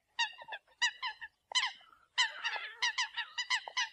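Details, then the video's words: Eurasian coots calling to the flock give short, nasal, honking kowk notes, first singly about every half second, then in a quick overlapping run as several birds call together. "Tiếng sâm cầm gọi đàn"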